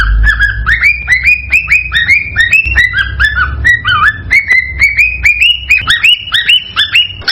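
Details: Male cockatiel in excited song to stimulate breeding in a female, giving quick rising and falling whistled phrases, about two per second, over a low background rumble.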